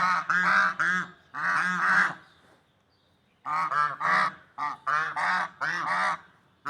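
Swans give loud, nasal honking calls in bursts of several notes, pausing briefly before another run of honks.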